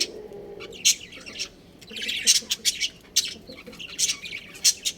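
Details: Budgerigars in a captive colony kept as a breeding pair, chirping: bright high chirps and short squawky notes sound in irregular bursts throughout, several birds overlapping, with a faint low hum underneath.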